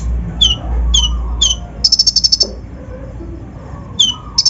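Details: Brown-throated sunbird (kolibri ninja), an untrained bird, singing a lure song packed with rough mimicry meant to rouse other birds: three sharp downslurred high whistles, then a fast buzzy trill, another whistle and a trill starting.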